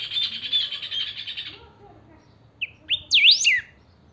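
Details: Saffron finch, known locally as chiviro, a kept bird singing eagerly; song played to get other chiviros singing. A loud buzzy trill lasts about one and a half seconds, then a pause and a burst of sharp whistled up-and-down sweeps.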